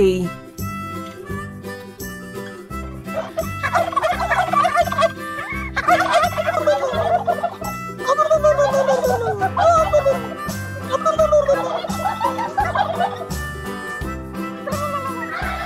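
A turkey gobbles in rapid, wavering, rattling bursts over steady background music.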